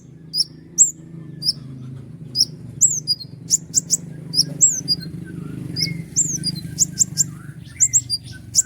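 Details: Common iora song in sharp 'tembakan' style: thin, very high downslurred whistles and clicks in rapid groups, with a steady low rumbling background and a few faint softer calls.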